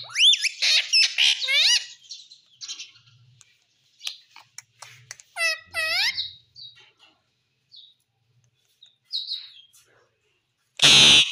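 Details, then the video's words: A parrot speaks in quick, raspy, speech-like syllables, a dense burst at the start and another later, with scattered softer sounds between and a loud harsh noise at the end. "Parrot Sound || parrot speaking everything"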